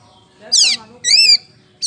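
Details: Lure song of a kacer poci oriental magpie-robin, used to make other birds sing: a loud harsh downslurred rasp followed by an arched, ringing whistled note, then another rasp beginning.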